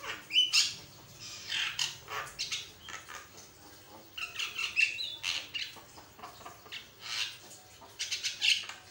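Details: A Javan myna gives a varied song used as a master recording for other mynas: harsh chattering of raspy squawks and short whistled notes in bursts every second or so, with no other clear sounds.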